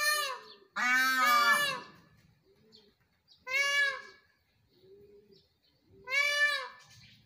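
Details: A peacock, apparently while dancing, gives three loud, nasal, wailing calls about every two and a half seconds, with softer low calls between them.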